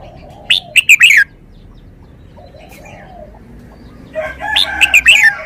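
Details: Red-whiskered bulbul singing two short bursts of rapid, chirpy whistled notes separated by a quiet pause, with faint lower crowing-like calls from other fowl in the background.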